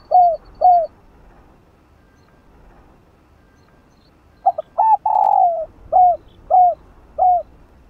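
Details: Decoy spotted dove coos meant to prompt a caged dove to coo: two short coos, a long pause, then a stuttering run leading into a long slurred coo and three steady short coos.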